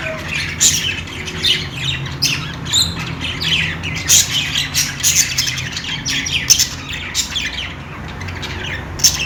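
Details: Several budgerigars chirp and squawk together, a busy stream of short sharp high notes and scratchy calls, loud bursts scattered through steady background chatter.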